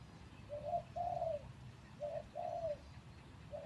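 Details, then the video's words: Captive spotted dove kept as a hunting decoy, three days out of the breeding cage, giving paired coos: a brief clipped note, then a longer drawn-out mellow coo, repeated twice over soft continuous hiss. "ต่อนกเขาใหญ่ เชลยเสียงดีครับ"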